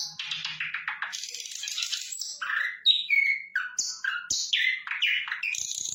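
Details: Flycatcher in full, energetic song: brisk sequence of high whistled slurs, rising and falling chirps and scratchy buzzes, each note brief and distinct, delivered continuously without breaks.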